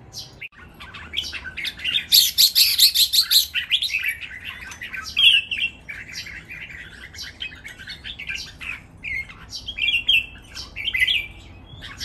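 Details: Three caged red-whiskered bulbuls sing in competition, a lively natural training song with counted phrases; dense overlapping warbles and bright whistled notes run almost continuously, loudest early on with a rapid trilled stretch.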